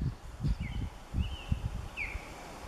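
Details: Stressed female osprey at her nest calling out while a third, intruding osprey lingers nearby all afternoon; three thin upslurred whistles sound faintly over low rumbling and rustling noise.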